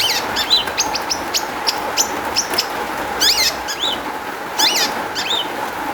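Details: Long-tailed shrike song used as a lure to prompt other shrikes to answer: quick bursts of high, sharp, down-slurred and chevron-shaped notes separated by short pauses, with constant hiss behind.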